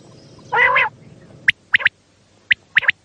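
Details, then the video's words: Night calling of a common quail, as used to draw quail in for hunting: one broad nasal call, then crisp clipped notes grouped as a single note and a fast pair, repeated. "Raat Ka Batair |Hunting | की आवाज़ | Bildirçin səsi"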